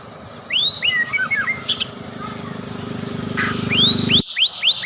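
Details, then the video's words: White-rumped shama song played as a lure to make other shamas sing: upswept whistles and quick chattering notes over a steady mechanical hum, then a burst of bright rising whistled slurs. "DENGERIN KICAUAN INI,PANCINGAN MURAI BATU"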